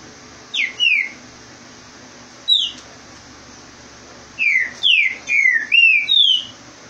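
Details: Green-winged saltator in Rio de Janeiro singing fast to drive off another bird: a couple of sharp descending whistles, then a quick run of five rich slurred whistled notes.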